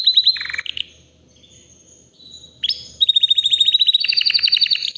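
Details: A white canary, about three years old, sings in bursts: a short rapid trill, a pause of faint thin whistles, then a long fast rattling trill of repeated notes at high pitch.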